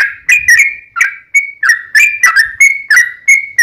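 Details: Sooty-headed bulbul lure song: clear whistled notes, some level, some dipping, spaced about a third of a second apart in a bubbly sequence.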